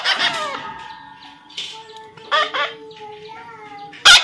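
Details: Young parrot, natural sound while being tamed: a rough squawk at the start, then quieter raspy chirps and two short harsh notes, ending in a loud abrupt screech; thin tonal hum throughout.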